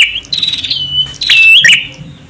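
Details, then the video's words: Male and female prinias calling, used to lure birds: sharp high chirps and buzzy notes, then a long thin whistle sliding and wavering at mid-high pitch, with short bright chips between phrases. "SUARA PRENJAK JANTAN & BETINA UNTUK MEMIKAT"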